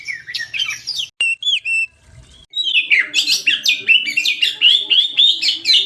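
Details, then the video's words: An Oriental magpie-robin (kacer) pours out a rich, varied song of sweet whistles, slurred rising notes and quick chattering phrases, high-pitched and almost continuous after a brief pause. "MASTERAN PANCINGAN PIKAT BURUNG KACER GACOR"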